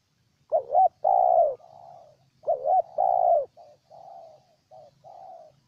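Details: Spotted dove recorded in Ninh Thuận, Vietnam, with two full phrases of a wavering double coo plus a drawn-out coo, then a run of softer, shorter coos trailing off.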